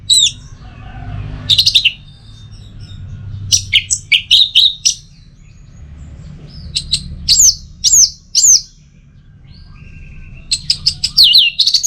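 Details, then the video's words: Teler song of an orange-headed thrush, or anis merah: clusters of bright, high, quickly slurred whistles and chips in uneven bursts, with short quiet gaps and a faint low rumble behind. "Pancingan Burung ANIS MERAH Agar Selalu Bisa Menikmati Telernya"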